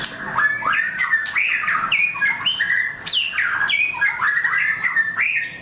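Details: White-rumped shama of the Nias type, known locally as murai batu Nias, singing a rich, continuous run of varied whistled phrases that slur up and down, with sharp clicks and quick rising notes between them.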